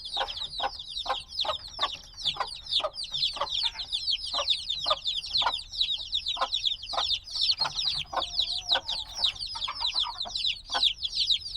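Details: Many tiny black chicks, hatched days earlier and needing warmth, keep up an unbroken stream of high falling peeps, with frequent short low knocks scattered throughout the long stretch.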